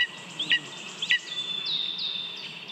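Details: Lesser spotted eagle chick at a nest in Latvia, 27 June 2022, waiting to be fed after leaving a small mouse its father brought. Two sharp high calls, then a run of thin, downslurred whistles over a bed of woodland birdsong.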